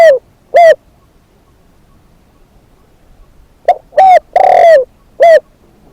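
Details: Spotted dove serving as a decoy: the tail of one coo phrase, a pause, then a full phrase of a clipped note, a bent hoot, a long falling husky coo and a short final hoot.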